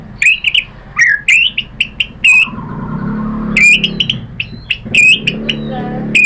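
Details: White-rumped shama lure song meant to make other shamas answer: short bright chirps and clipped whistles in scattered bursts, separated by gaps, over a steady low background hum.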